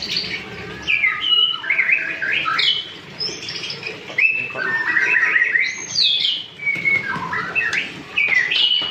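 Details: Young white-rumped shama learning its song, producing varied whistled and chattering phrases in bursts, mixing clear slurred notes with rapid trills over about nine seconds.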